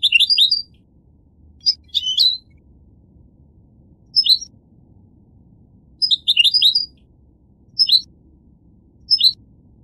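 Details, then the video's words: Goldfinch with brief high twittering phrases and sharp chirps, separated by gaps of about one to two seconds, over a faint low background hum. "The Resonant Chirping of the Goldfinch Bird"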